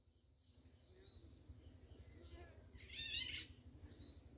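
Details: A juvenile Indian golden oriole at Kanewal Wetland, Kheda, Gujarat, gives thin, upslurred squeaky notes in a loose series, with a harsher burst midway, over a low background rumble.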